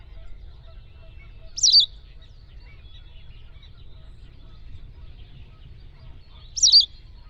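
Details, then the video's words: A White Wagtail recorded in the wild gives two brief, high, sharp twittering calls about five seconds apart, over a faint low rumble. "White Wagtail Sound – Song & Bird Calls"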